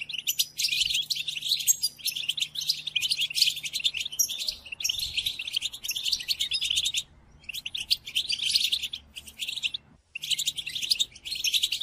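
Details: Captive-training song of European goldfinch, played during the moult: long runs of rapid, high twittering with buzzy and tinkling trills, interrupted by two short pauses, low hum throughout.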